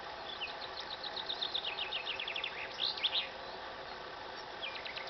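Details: Wild nightingales singing beside a walking path near Montanchez, Extremadura, Spain, at 10 am on April 13th, taken with a compact camera. Rapid, high, repeated trilled notes and quick whistled phrases come through steady heavy hiss.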